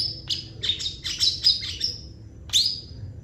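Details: Long-tailed shrike in active, varied song: a fast jumble of squeaky, high chirps and thin whistled notes, with one louder sharp note after a short pause.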